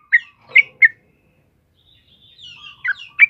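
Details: Yellow-vented bulbul singing vigorously, kept as a master song for training other birds: short bright chirpy notes in a quick cluster of three, a pause, then a thin rising whistle and two more sharp chirps.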